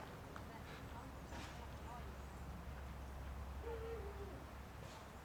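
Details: Owls at a screech owl sanctuary in Cornwall, UK: one hooting, then another making a rather strange noise; a brief, low hooting note late in the clip over a steady low hum and faint background noise.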